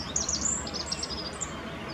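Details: Rock bunting song on the Apolloweg near Valwig, Moselle valley, Germany: a quick jingle of thin, high, sharply pitched notes through the first second and a half, with a faint low background hum beneath.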